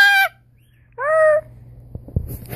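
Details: Pet blue-and-yellow macaw (Ara ararauna) named Diego, playing a copying game with its carer indoors, gives two loud, clear, ringing calls, each under half a second and slightly arched in pitch, followed by soft room noise and faint voices.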